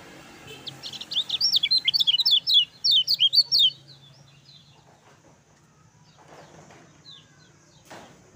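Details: Energetic lemon-bellied white-eye song meant as a master recording: a dense two-and-a-half-second burst of bright, zigzagging high chirps, followed by quiet with faint scattered rustles and one brief distant note.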